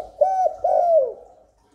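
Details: Spotted dove cooing to draw wild doves and stimulate newly kept birds. Two smooth, low coos, the second longer and gently falling at its end.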